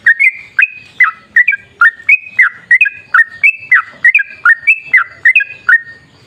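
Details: Trucukan, the sooty-headed bulbul, singing energetically for luring others to call: paired whistled notes, a lower slurred note followed by a higher steady one, repeated in a lively, even series.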